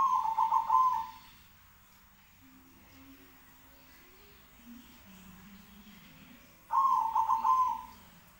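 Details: Zebra doves calling back and forth: a burst of quick, rolling, stuttered coos around one pitch lasting about a second, then a quiet gap with low murmurs before a second similar rolling phrase answers.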